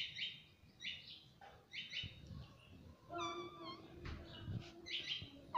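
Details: Pet parrot talking nonstop, repeatedly saying "mummy": a run of short, bright, harmonic syllables in quick succession, then a longer wavering, bending phrase, with faint low room rumble underneath.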